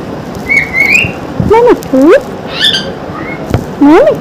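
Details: Morning chatter from a non-stop talking pet parrot: a rising whistled phrase followed by several loud, bending, voice-like syllables with rich harmonics, spaced about half a second apart, indoors.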